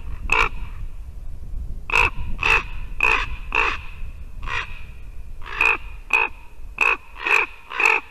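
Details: Morning visit by ravens to a white-tailed eagle nest in Latvia in early December, one of them sounding like a rusty hinge. Loud, grating croaks in ragged clusters of two to five, with short pauses between groups.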